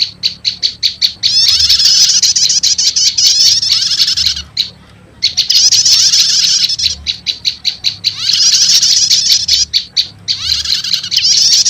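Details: Prinia (prenjak lumut) lure recording combined with prenjak setater calls, said to quickly attract wild prenjak lumut; bursts of high, dense buzzy chattering alternate with rows of sharp repeated chip notes, with a brief pause near the middle.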